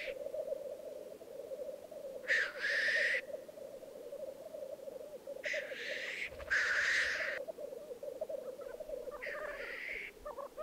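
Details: Displaying black grouse at a lek in the Piedmont Alps, 2022: a long, even bubbling rookoo carries through, with four loud hissing sneezes in two pairs, the first near two seconds in.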